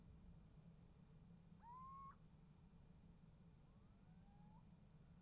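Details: Little owl at a nest box, winter 2015, giving a clear mewing whistle that is answered two seconds later by a fainter rising call from a second owl, with a steady low hum throughout.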